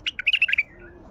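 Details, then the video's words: Wild Baghdadi bulbul singing: a quick phrase of about seven bright, chirpy notes, slightly warbling and clustered in a burst lasting just over half a second, then fading into quiet background hiss. "تغريد بلبل وحشي بغدادي"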